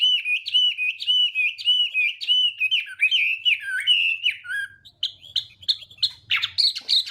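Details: Chinese hwamei singing at morning voice practice meant to provoke rivals: rapid repeated rolling whistles at an even pitch, shifting to harsher, higher chirps and squeaky notes near the end.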